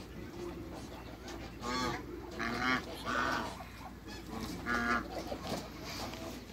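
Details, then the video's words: African geese, three of them, greeting newcomers: a few softer, nasal honks rising out of a hissing background, spaced about a second apart, with faint higher chatter. "MEETING THRE AFRICAN GEESE"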